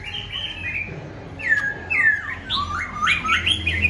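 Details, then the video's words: Tame caged Black-throated laughingthrush that sings all day: a loud run of clear whistled notes, slurred downward and then stepping upward in quick bright phrases, with a faint low hum indoors. "Khướu bạc má thuần hót cả ngày"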